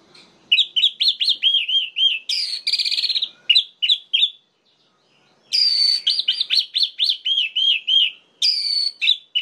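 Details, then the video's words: Orange-headed thrush singing to enrage other males of its kind: rapid series of looping whistled notes broken by harsh buzzy rattles, repeated in two long phrases with a short silence between. "DIJAMIN ANIS MERAH LAIN LANGSUNG MENGAMUK"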